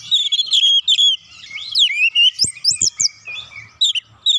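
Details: Oriental magpie-robin song played as a lure to make other birds sing; dense rich phrases of rising and falling whistles mixed with sharp high chirps and a few clicks, delivered almost without pause.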